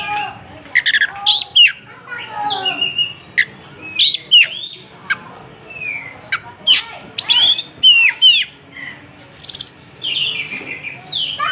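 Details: Oriental magpie-robin singing energetically with its tail spread: a rich, varied run of whistles, rapid chirps and sweeping slurred notes delivered in quick succession, almost without pause.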